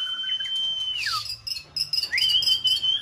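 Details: White-rumped shama in peak season used to stimulate another bird to sing; a long level high whistle, a drop, then a rising whistle held steady again.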